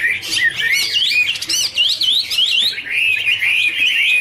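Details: Dancing Chinese hwamei pair singing a duet with fanned wings; a burst of sharp, high broadband notes opens, then looping whistled phrases rise and fall in a continuous warble.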